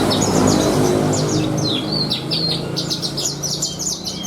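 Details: Horsfield's bush lark in a cage, prized for its luxurious 'isian' song, giving a brisk sequence of high, looping whistled notes and arched slurs repeated rapidly, over a low steady hum.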